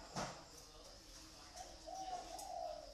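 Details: Pet dove in captivity: a click, then one rolling, slightly wavering trilled coo rising and falling over about a second, with a low continuous hum.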